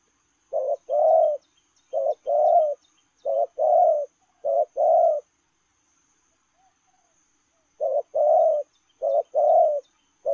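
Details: Lèo rồng cooing of a spotted dove on the run: two bursts of low paired coos, a quick short note then a longer hoarse one, repeated steadily about every 1.3 seconds with a pause between bursts.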